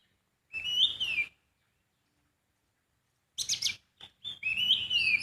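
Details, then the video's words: Sooty-headed bulbul in the wild giving a short gliding whistled phrase. After a long silence come a few harsh chattering notes, then another rising and falling whistled phrase. "Kicauan burung poci di alam bebas"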